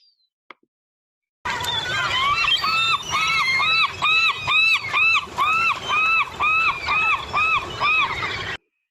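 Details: Glaucous-winged Gulls in Seattle give their main call, a loud, ringing, alarm-like shriek, each note rising then falling, about two per second in a long series, with other gulls and birds calling behind.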